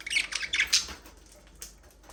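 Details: Aviary budgerigars at play give a rapid run of high, scratchy chirps in the first second, then fall mostly quiet apart from one brief late squeak.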